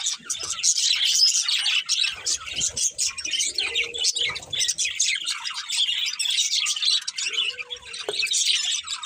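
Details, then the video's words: Budgerigars chirping: dense, overlapping high twittering and warbling chatter, continuous throughout with short scratchy notes and occasional louder squeaks. "Cute Budgies Chirping Sounds"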